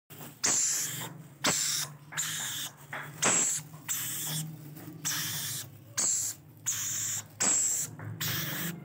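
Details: Young rainbow lorikeets being fed give a run of rough, breathy, hiss-like rasps, each lasting around a second, separated by short pauses, with no other clear sounds.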